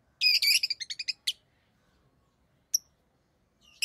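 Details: A fast run of about eight sharp, high chirps that fade in loudness, followed by isolated shrill notes, from rosy-faced lovebirds of orange-faced green and red-headed green colour forms.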